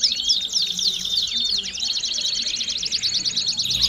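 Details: Belgian canary song of looping downward-curved notes and whistles, then a dense rapid trill, somewhat softer than full volume.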